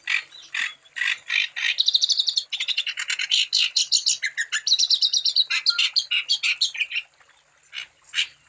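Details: Energetic wambi singing meant to trigger song in other wambi birds: quick chattering notes about three per second, rising into dense high trills, then a short pause and a few scattered chips.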